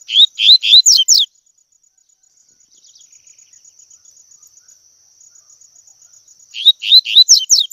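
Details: Double-collared seedeater singing the tui tui song, a recording meant to train young birds: two bursts of about six quick rising and falling whistled notes, one at the start and one at the end, with a thin steady high whine between them.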